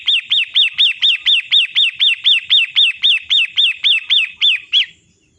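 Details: Caged-bird training recording of a 'matahari' long-tailed shrike: some nineteen rasping, down-curving notes rattled off at about four per second for five seconds, then stopping abruptly into silence.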